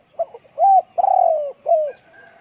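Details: Spotted dove call: a couple of soft introductory notes, then a clear coo, a longer pulsing coo that sags downward, and a final falling coo, all mellow and hollow against near silence.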